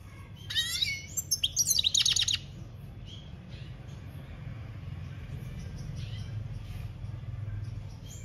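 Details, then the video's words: Campero-style European goldfinch song, 2021: one loud, fast burst of twittering and a buzzy rattling trill in the first seconds, then only faint distant notes against a steady low rumble. "Goldfinch singing - Jilguero Cantando Campero - Chant Chardonneret"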